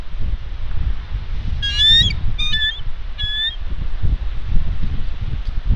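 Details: Bald eagle female on her Santa Catalina Island, California nest in February 2021, harassed by ravens and staying put on her eggs: three quick high, squeaky, piping call bursts over constant low wind noise.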